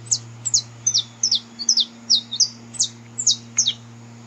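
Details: Wild saffron finch singing, recorded in nature to warm up a canary: a steady string of bright, high, down-slurred chirps, often paired, continuing through the whole stretch over a faint low hum.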